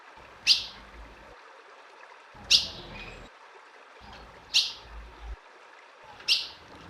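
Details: Calling female ultramarine grosbeak, used to excite a male: four crisp high-pitched chip notes at steady two-second intervals, some followed by a faint softer note, over a quiet low rumble.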